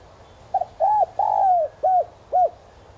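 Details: Lure spotted dove singing a 'giọng son' style coo meant to stir wild doves to answer. The phrase runs as a brief stuttered double note, a rounded coo, a long slurred coo, then two shorter falling coos, with no other clear sounds.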